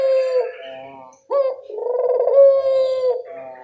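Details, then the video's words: Barbary dove, local type, giving a lure call for other birds to answer: a steady low coo fading out, a brief pause, then a sharp upturn into a rolling, throbbing coo. "Suara pancingan burung puter lokal sangat mudah nyaut"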